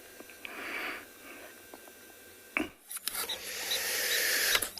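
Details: Rasping, scraping noises and sharp clicks over a steady hiss, with a loud knock near the middle; no animal calls stand out.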